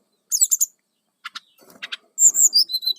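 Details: Song of a brown-chested jungle flycatcher used as a lure for wild birds: a quick buzzy triplet, scattered sharp clicks, then a string of high thin whistled slurs dropping in pitch.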